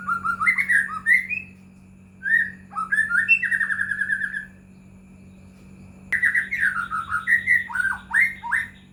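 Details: Lure song of a White-rumped shama for triggering other shamas to sing: varied phrases of rich whistled notes, some slurred upward, one rapid trill-like series, then a fast jumbled run of rising and falling whistles, over a constant low hum.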